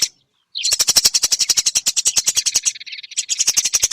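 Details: Eurasian tree sparrow as a training recording for songbirds: after a short silence, a fast, harsh chattering run of clipped notes, slightly dipping midway before resuming loudly.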